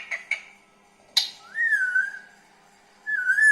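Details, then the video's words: A pet green parrot, described as talking, gives two short harsh notes, then a clear whistle that rises and levels off, and ends with a second steady whistle. "Green Parrot Talking Natural Sounds Tote Ki Awaaz"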